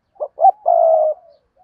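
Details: A single phrase from a decoy spotted dove used to attract wild doves: two quick soft notes, then a long, level, deep coo that trails away.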